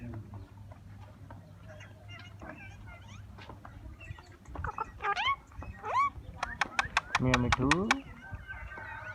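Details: Green talking parrot: quiet scratchy murmurs at first, then louder speech-like bursts with upward-sweeping harmonic notes, followed by a rapid run of sharp clicks and squawky syllables near the end.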